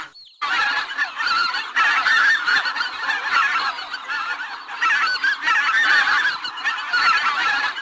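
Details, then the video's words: Loud, harsh goose honking from a group, a continuous raucous clamor of overlapping nasal calls after a short silent start. "Гусь голос . Қаз дауысы"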